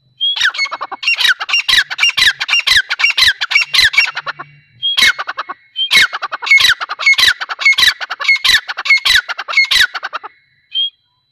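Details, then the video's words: Female grey francolin (teetar) calling loudly: two long bursts of harsh, rapid, scratchy notes, each about four seconds, separated by a short pause, with a final single note; otherwise quiet background. "Teetar sound | Teetar Voice | Gray Francolin teetar voice | Female teetar awaz"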